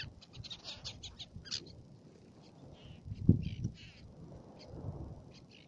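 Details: Black-naped tern on Fares, Baa Atoll, Maldives: a run of short, harsh, high calls in quick bursts, loudest in the first second and a half, over steady low rumbling wind or surf noise.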